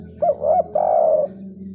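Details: Sunda collared dove giving a big-voiced 'kuk 3' three-part call: two short rounded coos, then one long drawn-out coo, all low and mellow over a faint steady hum.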